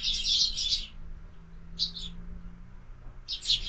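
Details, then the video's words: Sparrows feeding at a window-mounted feeder in the morning: a long run of rapid high chirps, then two shorter chirp bursts separated by quiet gaps, over a faint low hum. "Воробьи в кормушке - Утро"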